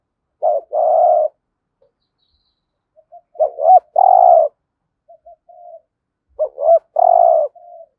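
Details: Decoy spotted dove giving the 'hạp bổi' calling coo to draw in wild doves; three phrases, each a quick pair of rising notes followed by a long husky coo and a faint trailing murmur, about every three seconds.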